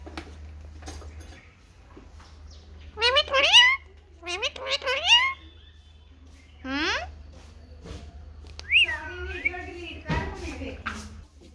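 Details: Happy pet ringneck parakeet basking in sun, mimicking speech in shrill bursts: clusters of high, sharply modulated syllables separated by pauses, then a longer wavering phrase near the end, with a low background hum.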